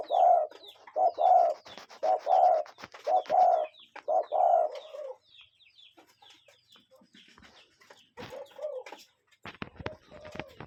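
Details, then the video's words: Cuckoo calling in nature, recorded with real birds: a series of short, hoarse, mid-pitched notes repeated about once a second, then a quieter stretch with faint chirps from other birds and a few sharp clicks. "Relaxing Cuckoo Bird Sound in Nature"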